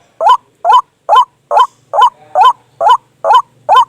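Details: White-breasted waterhen lure call used at night to draw birds toward a snare trap: loud, clean, rising-falling honking notes repeated evenly about every 0.43 seconds, nine in a row, over a quiet background.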